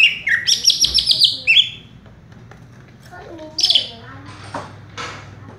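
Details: Greater green leafbird (cucak ijo), a kept bird perching in one spot: an opening burst of loud, rattling high trills and whistles, then quieter scattered chirps and a second short high burst indoors.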